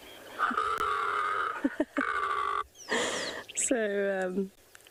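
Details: A secretary bird, heard on a morning safari in February 2022, gives drawn-out, harsh nasal moans broken by short bursts, then a deep groaning croak sliding downward, an unusual, almost dinosaur-like call.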